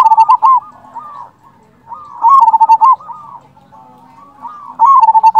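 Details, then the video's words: Local zebra dove lure song for provoking other doves to reply: loud runs of rapid, rolling coos open the recording and return twice, separated by quieter background cooing. "Perkutut lokal gacor Pancingan ampuh sekali putar suara ini 100% bikin nyaut"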